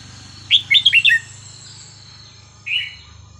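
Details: Red-whiskered bulbul, a cage bird, giving a sweet non-repeating phrase used for training young birds: a quick bubbling sequence of five clear notes followed after a pause by one soft warble, low hum underneath.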